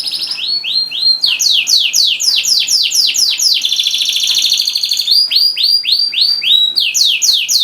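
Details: Caged canary in vigorous 'gacor' singing, played to prompt silent canaries to sing: fast, loud stream of high, sweeping rolled notes repeated several per second, a brief buzzy sustained stretch midway, then more rapid descending sweeps.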